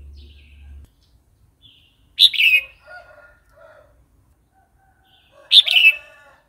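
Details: Red-whiskered bulbul singing a varied wild-style song, played for training young and newly caught birds: two loud bright warbled phrases of rich fluttering notes, with softer low chattering notes from other birds between them.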